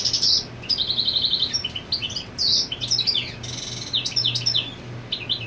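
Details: Territorial European goldfinch singing with its mate on the nest; bright tinkling twitters mixed with short buzzy trill runs and sharp chirps, faint low hum in the background.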